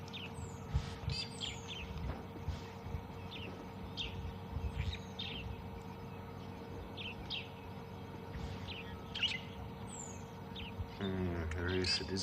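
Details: Brown-headed parrots at dawn on a misty morning in Tswalu Kalahari Reserve, South Africa, 2 June 2020, giving sharp, high, squeaky squawks scattered irregularly, with other birds chirping, low vehicle rumble and a brief mechanical rattle near the end.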